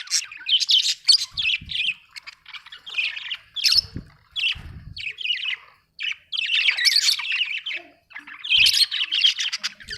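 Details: Budgerigar chirping in repeated bursts of scratchy warbles and high squeaks separated by short gaps, with a few faint low knocks.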